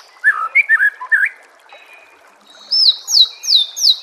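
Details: Master song of a white-rumped shama for caged-bird training: a burst of quick mid-pitched slurred whistles, a pause, then four loud high downward-sweeping notes evenly spaced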